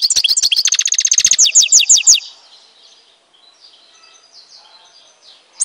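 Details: Algerian European goldfinch from Tizi Ouzou delivering a fast run of sharp, high twittering notes that speeds into a liquid trill for about two seconds, then trailing off into faint distant chirping.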